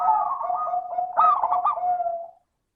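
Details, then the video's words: Zebra dove in steady song to make other doves sing, clear crystal tone: continuous trilled cooing with a burst of rolling, bubbling notes in the middle, fading at the end. "Pancingan suara burung perkutut - suara kristal"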